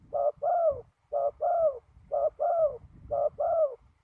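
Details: Decoy spotted dove calling from the ground during trapping in strong wind. It gives four steady two-part coos about a second apart, each a short burst then a drawn-out descending purr, with faint low rumble underneath.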